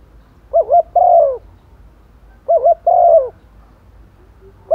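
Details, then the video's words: Female spotted dove, used as a decoy, cooing for males in the rainy season: a quick double note followed by a long, gently falling coo, repeated every two seconds or so. "chim cu mái mồi gáy gọi chim trống mùa mưa, tiếng chim cu mái, cu gáy mái"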